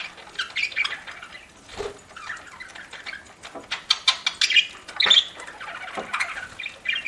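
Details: Pet budgerigar chirping while eating: rapid scratchy warbled chirps with sharp clicks and pecking taps, broken by brief pauses, in a small indoor space.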